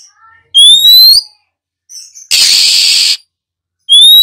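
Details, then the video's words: Female Oriental magpie-robin singing to stimulate newly caught birds to sing. Sharp rising whistles alternate with a long, rough hissing burst, then another bright upslurred whistle. "Tiếng than mái khè, rít, hót kích bổi chuẩn"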